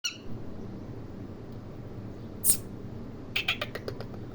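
A parrot gives a short harsh squawk, then a quick run of five or six sharp, clipped chirps over a steady low background hum.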